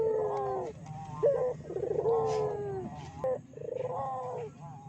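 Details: Barbary dove calling on a lure recording meant to provoke other doves into calling: three long, deep, drawn-out coos, each about a second long, separated by short sharp clipped notes. A low steady hum runs underneath.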